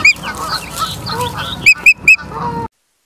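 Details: Osprey calling at a Charlo, Montana nest on the evening of 9 September 2023, live nest camera: three or four piercing whistled chirps over softer, lower honking calls from other birds.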